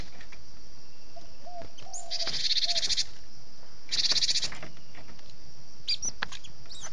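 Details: Lure recording of a Cinereous tit, gelatik batu, giving its 'kejepit' distress call: two rasping, pulsed buzzy bursts about a second and a half apart, with soft low whistled notes and a few short high chips, over steady background hiss.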